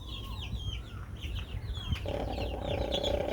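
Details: Rooster snoring because he is happy: a low, steady droning rasp starts about halfway through and holds to the end, under scattered high chirps from small birds and a rumbling background.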